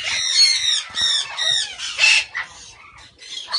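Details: Guinea turaco incubating at a breeding facility; loud, harsh, nasal squawks repeated in quick series, each with rasping overtones, fading into softer scattered notes.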